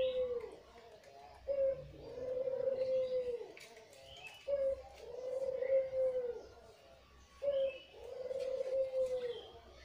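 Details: Red-eyed white Barbary dove used for luring birds: three cooing phrases, each a short clipped note followed by a long, smooth, steady coo, repeated roughly every three seconds over soft background noise.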